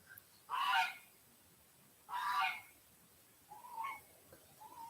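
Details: Domestic geese walking past, with chickens following them, give loud, harsh honks: two strong blasts about one and a half seconds apart, then softer, shorter honks trailing off.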